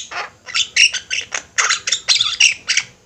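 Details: Flock of Javan mynas in full voice, captured for training other birds: rasping, metallic squawks mixed with short whistled tones, tumbling in quick irregular bursts.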